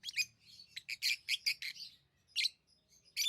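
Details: Lovebirds letting out a quick string of sharp, high, scratchy chirps, then a pause and a few more shrill bursts.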